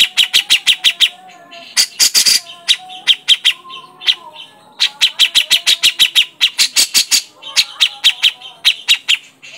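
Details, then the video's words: Grey-cheeked bulbul (cucak jenggot), a lure recording of a loud, sharp-calling bird, gives bursts of fast, sharp clicking chatter, several notes a second, in runs broken by short pauses, over a faint lower whistle. "pancingan burung cucak jenggot"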